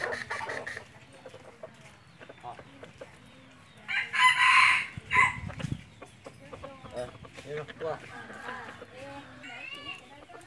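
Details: Amid a busy, noisy background with other faint chirps, a hunting-decoy red junglefowl lets out a single hoarse, broken crow lasting just over a second.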